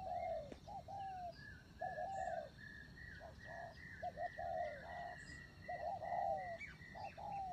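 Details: Spotted dove kept as a decoy bird coos in soft, low, repeated phrases: a short note followed by a longer, slightly falling coo. A thin, steady whistle from another bird runs higher in the background.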